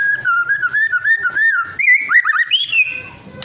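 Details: White-rumped shama singing in the trotol and pastol styles, played as a lure meant to make other shamas answer and sing; smooth wavering whistled phrases, then quick rising slurred notes and a higher closing whistle over a low hum.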